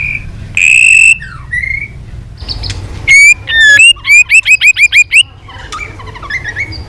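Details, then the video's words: White-rumped shama in training, singing a competitive song with tail flicking, switching through many voices: long clear whistles, then a fast run of bright, sharply rising whistled notes repeated about twice a second, ending in softer chatter. "chòe Lửa đập đuôi hót đấu liên tục nhiều giọng"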